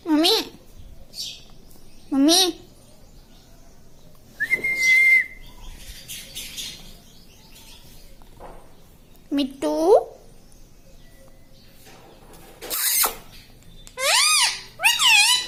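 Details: Talking parrot (tota) mimicking words indoors: scattered loud harmonic syllables with wavering pitch, one steady whistled note, and short squawky bursts separated by quiet gaps.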